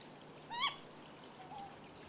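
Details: Ryukyu scops owl on Yonaguni, one bird giving both the male-type and female-type calls: one short, hoarse mid-pitched note that rises and drops, then a faint lower note against a steady background hiss.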